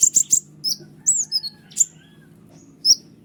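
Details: ['Sharp, clear White-winged triller song for tutoring other birds: three quick high chips open, followed by slurred whistles falling in pitch and a final isolated note, over a faint low hum.']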